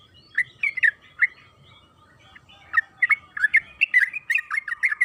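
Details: Yellow-vented bulbul (trucukan kebo) lure song: a few scattered liquid notes, a short pause, then a quicker run of chattering warbled notes building toward the end.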